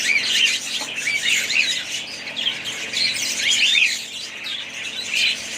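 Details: Many budgerigars keep up a lively chatter. Tumbling warbles, thin squeaks and repeated short whistles rise and fall in intensity.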